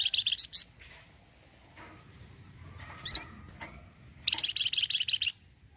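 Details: Orange-headed thrush, flamboyan type, delivering its "cretetan": a quick run of shrill chattering notes, a lull with a few scattered chirps, then another rapid, rattling volley of high notes.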